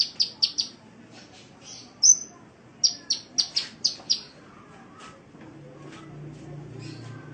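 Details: Kolibri (sunbird) training song for Indonesian cage birds: quick bursts of three or four high, sharp notes, a single whistled note, another clipped rapid run, then fading faint chirps as a low rumble rises.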